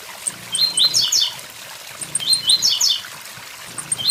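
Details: Two full high buzzy 'tui tui zel zel' phrases from a blue-black grassquit, plus the start of a third, each made of short stepped notes, over the constant sound of a waterfall.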